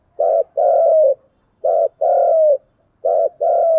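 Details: Spotted dove giving a dueling coo. Three repeated phrases come about every one and a half seconds. Each pairs a short deep note with a longer, steady coo that slips downward, clean and without background noise.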